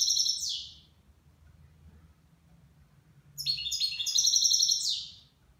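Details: Goldfinch, nine months old, singing in the Levantine manner: a short tinkling phrase, a pause, then a longer rapid run of high jangling, trilled notes ending in a downward sweep.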